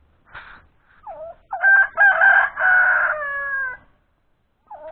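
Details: A rooster crows: a stuttering broken start leads into a loud, strained cry held for over two seconds, then falls away. Short scattered calls come before it and after it.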